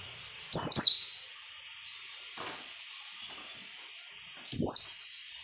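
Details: White-eye singing ngalas nembak, for training captive white-eyes: a quick pair of shrill descending shots, a near-silent stretch of thin twittering, then another loud falling shot four seconds later.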